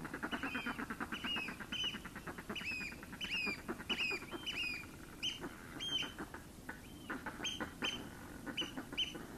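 Northern Fulmar giving a fast, guttural cackling chatter in rapid pulses, with sharp high-pitched calls from other seabirds over the top.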